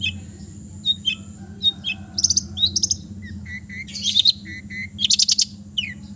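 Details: Relaxed song of an East Java long-tailed shrike, packed with mimicked phrases and played to coax mute birds: short downslurred whistles, paired flat whistles and bursts of buzzy trills, with low background hum.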